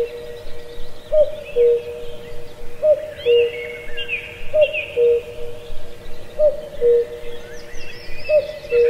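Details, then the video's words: Forest cuckoo in Azad Kashmir, Pallandri, repeats its falling two-note cu-coo five times, roughly every two seconds, steady and mellow, with other small birds chirping and warbling above it. "Cuckoo Birdsong"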